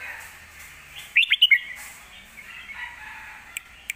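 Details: Caged red-whiskered bulbul in Thailand singing a fierce Lak Wai style song used as a master song for teaching young birds: one quick burst of bright, warbled whistled notes, with a faint steady hiss behind.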